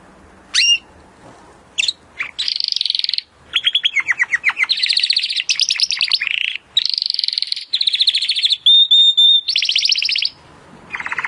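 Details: Singing Timbrado canary, recorded as training material for other canaries: short sharp chips, then dense trilled tours changing from buzzy rolls to quick descending notes and a flat whistled tone, gaps between phrases.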